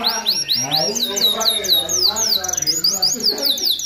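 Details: Canary in full, energetic song used to tutor other birds: fast runs of rising high notes, then a falling buzzy phrase and more rapid repeated syllables, with faint lower chatter beneath.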